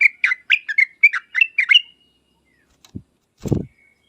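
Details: A short burst of lively bulbul chirps and whistles, part of a lure recording meant to make yellow-vented bulbuls answer, ending in silence broken by two dull thumps.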